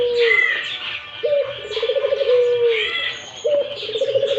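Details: A Barbary dove calls again and again with soft low coos, a vibrating rolling run followed by a sustained, faintly dropping note, while higher chirps and whistles from other birds fill the background.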